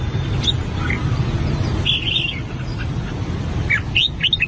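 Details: An albino red-whiskered bulbul practising its song gives short, scattered bright notes and a warbled phrase. A steady low rumble runs underneath.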